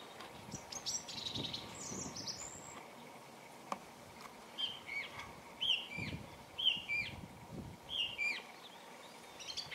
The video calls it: Thrush Bird Calling